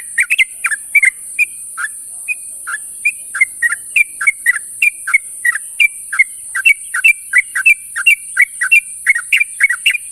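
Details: Calls of a sooty-headed bulbul gathering companions in the morning: roughly three bright, bubbly chirps per second, alternating up-slurred and down-slurred notes, steady and unbroken throughout, with a high hiss underneath.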